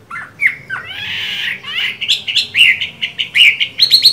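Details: Chinese hwamei kept caged, singing while moulting: slurred whistles and a short harsh rasp, followed by rapid repeated bright notes.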